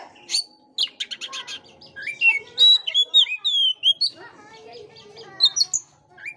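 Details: Oriental magpie-robin singing as a lure for an unmotivated bird: a dense buzzy trill, then long, clear, slurred whistles gliding down and up, ending in scattered high chirps.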